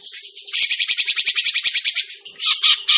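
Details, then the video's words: Grey-cheeked bulbul lure call for bird trapping: a harsh, buzzy chatter of evenly spaced pulses, about seven per second for one and a half seconds, then a few louder scratchy notes, over a faint low hum. "suara pikat burung cucak jenggot masteran burung cucak jenggot"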